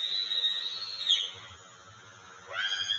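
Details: Juvenile bald eagle, an 18.7-week-old female, calling near a nest on August 5, 2020, as her father brings a fish. A high, thin whistled note slides downward and fades, then a sharp rising squeal follows over a steady electrical hum.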